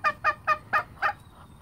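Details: Farm turkey, one of six breeder turkeys kept, giving a run of five short harsh honking notes about a quarter second apart, fading after the last note; faint background hum.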